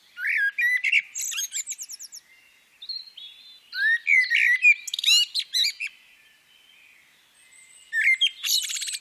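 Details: Female common blackbird. Three bursts each begin with a rich, low whistled note and break into rapid, high, rattling squeaks. There are quieter gaps between the bursts.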